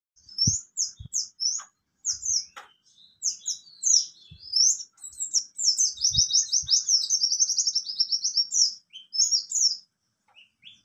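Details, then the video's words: Mountain white-eye (buxtoni) singing in the ngalas nembak style: high, thin chirped notes in quick bursts, building into a long, dense, rapid trilling run in the middle, with a few soft low knocks underneath. "Pleci Bxtoni juga bisa Ngalas Nembak"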